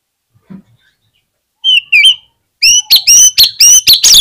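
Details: Oriental magpie-robin singing in full voice, played to prompt other magpie-robins to sing: two clear rising whistles, a short pause, then a rapid run of loud, clipped, buzzy bursts with sweeping whistled notes.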